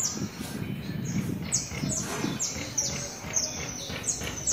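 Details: A free flock of more than 100 Saffron finches at feeding time in a backyard gives bright, sharp, high chirps in rapid overlapping succession, over faint low background murmur.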